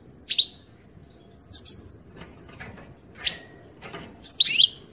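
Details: European goldfinch in song, 2018: scattered high, sharp chirps and thin whistled notes, several paired, ending in a fuller twittering burst; low background hiss throughout.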